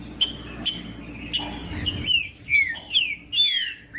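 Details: A few sharp clicks, then a Green-winged saltator delivers a run of rich, falling whistled notes, each about half a second long. The song is meant to warm other birds of its kind up to sing, over a low hum.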